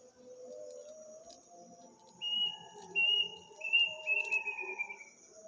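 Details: Eerie night call of an unknown bird in a village on the eve of Eid, often heard at midnight: a series of high, flat whistled notes, each ending in a rapid trill and falling slightly, with constant insect buzzing behind.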